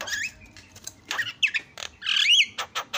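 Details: Asian pied starling singing to provoke other starlings: harsh squawks and buzzy bursts mixed with rising and falling whistled notes, a few short clicks between phrases.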